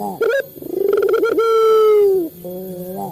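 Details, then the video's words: Male local Barbary dove used to stimulate captive birds to call, giving one drawn-out coo: a brief clipped note, a pulsing rise, then a steady rich tone holding about a second before dropping, followed by a softer low hum. "Suara burung puter jantan | melatih burung puter lokal cepat bunyi | pancingan burung puter"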